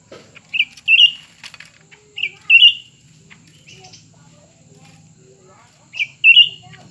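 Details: Two Grey-bellied Bulbuls, one new and one old, in a singing contest: short, bright warbled phrases, often in quick pairs, repeated every couple of seconds with quiet gaps and faint clicks between.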